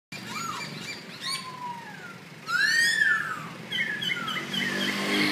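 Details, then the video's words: Birds singing in front of a house: slurred whistled phrases that rise and fall, then a loud arching whistle, with a burst of higher chattering notes overlapping near the middle. "นกซอฮู้ ร้องๆรำๆกันหน้าบ้าน"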